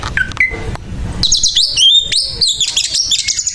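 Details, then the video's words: Aggressive fighting song of an Oriental magpie-robin (kacer): a few soft notes at first, then from about one second a dense, loud run of high whistled slurs, chattering notes and rising squeals that never stops. "SUARA KACER TARUNG KASAR KASAR LAWAN SAMPAI CABUL"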